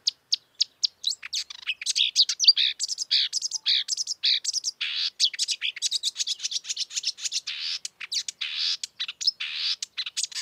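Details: Continuous, busy song of a marsh warbler in the wild: scratchy, high-pitched chatter and buzzes strung together with barely any pause.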